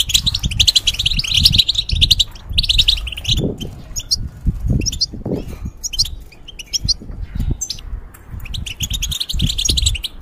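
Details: Caged European goldfinch kept for breeding goldfinches and hybrids, singing rapid, tinkling twittered phrases in bursts, with repeated low thumps and fluttering from the cage throughout.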